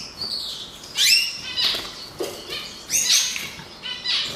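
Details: Canary, kept as a pet bird, heard while judging whether it is a male: short bright chirps and sweeping whistled notes in bursts, rising and falling, repeated roughly every second with brief quiet gaps between phrases.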